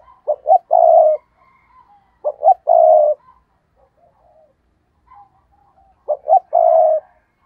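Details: Decoy spotted dove performing 'gù cà lăm' stuttering coos meant to provoke rival males: low phrases of two or three clipped hoots leading into a sustained coo, repeated about every three seconds with quiet soft notes between.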